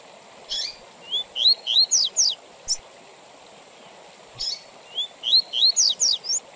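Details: Double-collared seedeater singing the Tui Tui Zel Zel song style, with pauses between phrases, used to teach young birds and for tournaments: a rapid run of rising whistled notes and sharp buzzy strokes, a pause, then the phrase again.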